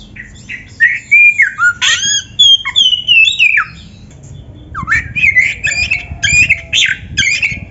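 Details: Caged-bird training song of an oriental magpie-robin: a run of whistled and slurred notes with harsh accents, a pause, then a rising swoop leading into rapid scratchy chatter.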